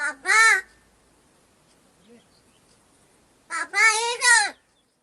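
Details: A crow in a forest area of Gargaon village, Wada taluka, Palghar district, mimicking human speech after being offered food: two hoarse, word-like utterances about three seconds apart, each rising then falling in tone, with near silence between.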